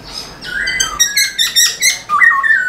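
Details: Black-throated laughingthrush singing with tail display to excite caged birds: rich harmonic squawking notes rising and pulsing, ending in a bright falling whistled slur.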